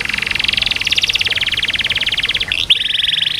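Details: Canary holding a long continuous rattling trill of very fast repeated notes for about three seconds, with one sharp sweep near the end; intended to encourage reluctant canaries to sing.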